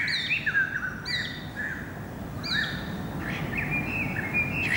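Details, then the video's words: Greater racket-tailed drongo singing on 7 February 2018: repeated bell-like notes with sharp upper overtones, followed by a chattering warble and a drawn-out whistle, with steady environmental hiss underneath. "Singing Racket Tailed Drongo"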